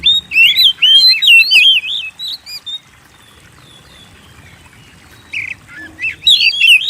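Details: Oriental magpie-robin, known locally as kacer, singing to provoke kept birds: a quick series of warbled whistled slurs, a quiet gap of about two seconds, then a few more bright whistled notes.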